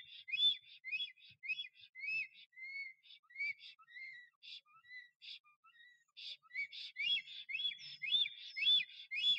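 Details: Male black stork singing at its nest in Puszcza Notecka forest on 12 April 2023 while courting a female that never arrived. A rapid series of high, whistled chevron-shaped notes, dipping and softening midway, then speeding up again.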